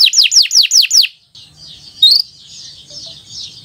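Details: Canary singing a long, continuous 'gacor' song meant as a tutor recording for young birds: five rapid, bright downslurred whistles, then a softer high warble with one sharp note.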